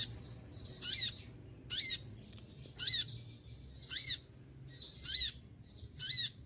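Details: A steady string of about seven shrill, piercing bursts, roughly one per second, from an olive-backed sunbird still singing energetically while moulting.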